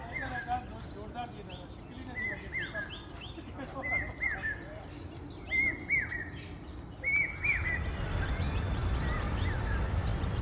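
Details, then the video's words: Common hawk-cuckoo, or papiha, calling continuously on a cloudy monsoon morning walk in Ahmedabad: shrill three-note phrases, each note a short rising whistle, repeated in series, with other small birds chirping and background noise. "Common hawk-cuckoo,Papiha,known as brain-fever bird due to its constant three notes,repetitive calls"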